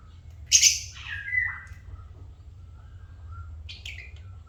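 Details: African lovebirds kept as pets: a loud harsh shrieking chirp, then a lower squawk sliding downward, a brief quiet pause, and a second short sharp chirp near the end over a low background hum.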